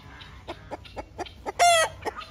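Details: Two helmeted guineafowl fighting, possibly two males, on a bird-breeding farm: a rapid series of harsh, clipped notes about four per second, broken by one loud, grating squawk.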